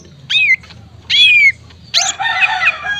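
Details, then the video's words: Greater green leafbird, a male bird used as a training master to make other leafbirds sing: three loud whistled phrases, two clear notes sliding downward, then a richer buzzy warbling burst. "Cucak Ijo Gacor Untuk Terapi Cucak Ijo Malas Bunyi"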